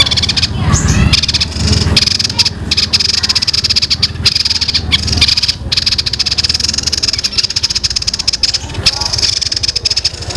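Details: Young songbird with a long, tight rolling song likened to fighting sparrows: continuous fast high rattling trill with a few brief gaps and low rumbling noise underneath.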